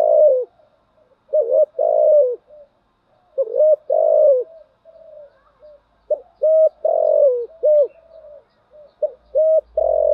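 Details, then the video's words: Spotted dove lure calls, described as including a female used to stir decoy birds, with full thúc gù and gáy gọi coo styles: low, mellow, hollow coos in groups of two or three, separated by soft, murmured notes. No other sounds. "Tiếng chim cu gáy mồi giọng lôi cuốn hấp dẫn đủ bài[ THÚC GÙ , GÁY GỌI ]"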